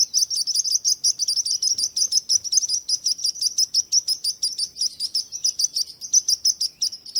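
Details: Rapid high-pitched bird chirps repeat about three times a second in an unbroken, slightly uneven run of thin tweets over a quiet background.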